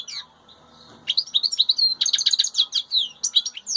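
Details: Wild European goldfinch heard with chicks: after a near-silent opening, a fast, bright twittering song of high liquid chirps and trills runs continuously, jumping up and down in pitch.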